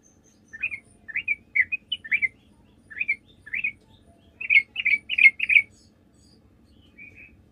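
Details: Sooty-headed bulbul in full song, played as a lure to provoke replies. Separate liquid, warbling chirps come about twice a second, then speed into a tight run of five notes before trailing off.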